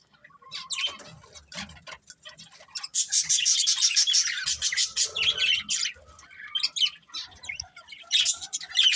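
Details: Pet budgerigars living as a family start with sparse single chirps, then break into a dense stretch of excited twittering and squawks, followed by scattered calls and another burst at the end.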